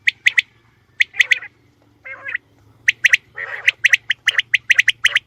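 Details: Female common quail, recorded as a hunting lure, giving sharp doubled and tripled clicking notes in irregular bursts, with a pair of buzzier, rougher calls midway and a faint low hum underneath.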